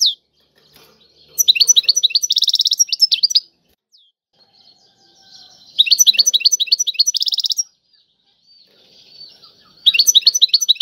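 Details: Tiwawati-style singing by a European goldfinch: three separate two-second bursts of very rapid, high, chattering trills, with quiet gaps between them holding faint soft chirps.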